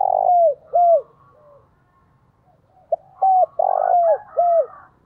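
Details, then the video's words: Spotted dove decoy bird calling to draw in wild doves: two bursts of low, hollow, arched coo notes, each burst of three or four notes, separated by a quiet gap of about two seconds. "Tiếng Chim Cu Gáy Thúc + Gáy Gọi Dùng Kích Bổi"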